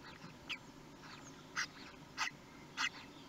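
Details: At a kestrel nest in Théding on 23 May 2020, when the first chick hatched, four brief, sharp calls come at irregular intervals through a constant hiss.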